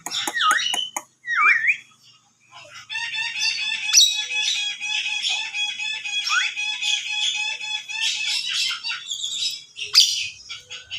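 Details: Javan myna whistling: two loud, swooping whistles that dip and rise sharply, then dense, continuous chattering and squeaky notes with repeated buzzy trills, ending in a sharp, high burst.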